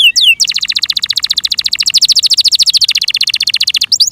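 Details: Yorkshire canary in captivity delivering a long, fast rolling trill of rapidly repeated notes, framed by brief swooping whistles at start and end.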